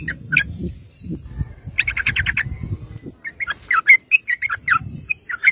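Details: Sooty-headed bulbul calling energetically as a lure for other bulbuls: scattered sharp chirps, a short quick rattle of notes, then varied slurred whistles, with low rumbling noise underneath.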